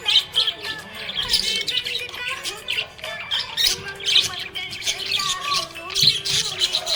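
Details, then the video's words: Happy budgie chattering with dense, buzzy chirps and squeaky twitters in irregular runs, with a few louder squawk-like notes, while music with held tones plays underneath throughout. "Happy budgie chirping sound"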